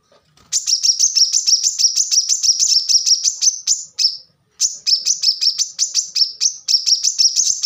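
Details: Plain-throated sunbird, known locally as kolibri kelapa or wiceh, singing in a rapid, high, dense style: fast runs of sharp, thin notes repeated about three times a second, broken by one brief pause near the middle.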